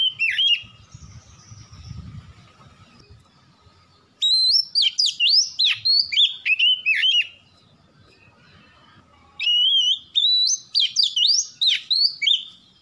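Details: Lure recording of a white-rumped shama to make birds sing: three bursts of fast, loud, richly varied whistles with sharp slides and loops, quiet gaps between them.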